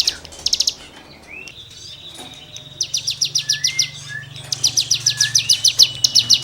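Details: Tutoring song of a cigun: a short chattering burst, a quieter gap with thin whistles, then two extended runs of rapid, shrill, evenly repeated chips.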